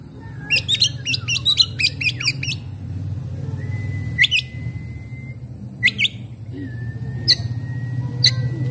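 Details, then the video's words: Oriental magpie-robin song played to coax stressed, reluctant birds into singing: a rapid run of about a dozen sharp, repeated clicking notes, then long thin whistles and scattered chips over a low rumbling background. "cukup skali pancing kacer macet stres malas bunyi langsung gacor"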